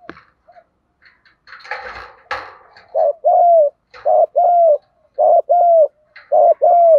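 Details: Spotted dove coos used for training and luring birds, male and female: after a few seconds of rustling and knocking, clear low paired coos begin, a short note followed by a longer slurred one, repeated three times.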